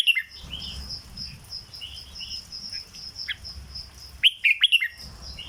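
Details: Red-whiskered bulbul from a cage, singing in the 'dok' manner: short soft warbles early, then a loud rapid phrase of four clear whistled notes past four seconds, over a constant high drone.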